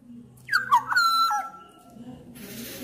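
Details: Black-naped oriole, a Sumbawa bird, with Javan male and female orioles also heard, singing loudly to prompt other orioles; a brief burst of fluty, sliding whistles with clicks, then a quiet hum.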